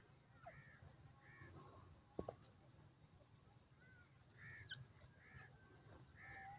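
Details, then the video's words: Francolin, known locally as teetar, calling: faint arched, ringing notes with harmonics, given in short clusters of two or three at the start and again more loudly near the end, over steady low background rumble and a brief knock midway. "teetar awaz,teetar ke boli,francolin ke awaaz"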